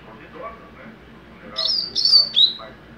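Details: Young double-collared seedeater delivering a mateiro phrase of three high whistled notes in quick succession, faint low chatter beforehand.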